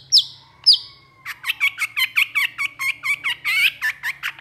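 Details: Long-tailed shrike, known locally as cendet or pentet, singing energetically: two sharp high downslurred notes, then a fast run of about twenty scratchy chattering notes, with a low steady hum beneath.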